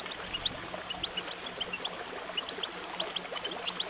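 A goldfinch sings a quick, tinkling twitter of short high notes, several each second, over a steady watery hiss and a low electrical hum.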